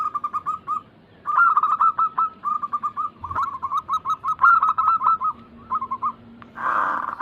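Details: Zebra doves, local and Bangkok crossing types, cooing as a lure to get other caged doves singing. Long runs of quick, rhythmic, slightly rising coo notes, possibly overlapping birds, ending in a brief burst of noisy rustling.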